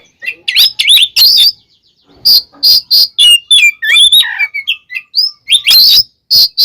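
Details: Oriental magpie-robin (kacer) singing an energetic fighting song used to provoke other birds: loud harsh bursts alternating with clear whistled slurs and rapid chattering notes, separated by short pauses.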